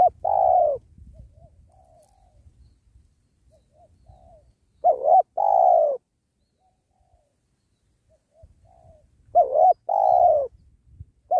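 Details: Spotted dove calling while wild doves are trapped beside a sacred tree: loud double coos, a brief wavering note and a longer falling note, in bursts several seconds apart, with faint answering coos in between.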